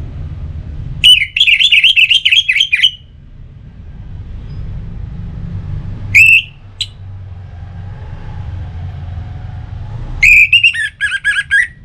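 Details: Sparring song of an Orange-headed thrush, used to push a kept bird to sing: three bursts of loud, quickly repeated whistled notes, the first about two seconds long, a brief middle phrase, then a closing warble, with a low rumbling hum throughout.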